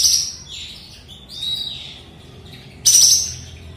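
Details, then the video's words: Sooty-headed bulbul, called kapas tembak locally, singing again right after its moult, having earlier stopped calling; soft whistled notes curving and sliding downward, with sharp high chirps at the start and near the end. "Abis mabung kapas tembak ini langsung bukor"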